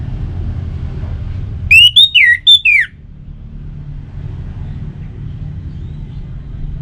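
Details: Orange-headed thrush song meant to set kept birds singing: one compact phrase of four or five clear whistles, rising, level and falling, then a long stretch of soft low background noise.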